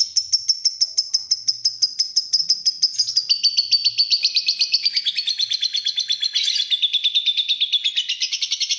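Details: A fighter lovebird sings a sustained ngekek trill, nearly nine seconds of rapid, regular high-pitched pulses that step gradually lower in pitch as the chatter continues.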